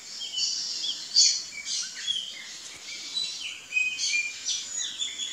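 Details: Female burnished-buff tanager looking for food: high thin chirps and short descending notes, scattered and irregular, with faint insect-like hiss in the background.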